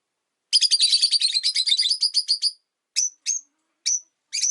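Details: A fast, grating chatter of shrill notes from pet rosy-faced lovebirds, five caged beside a window and vocal even in winter, breaks off after two seconds into a few separate piercing chirps.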